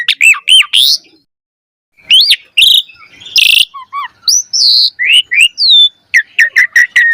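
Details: Loudly singing black-collared starling with a rich fill-in song, used to coax other starlings into song. Whistled upslurs, a pause, buzzy bursts, clear high whistles and a quick stuttering run at the end.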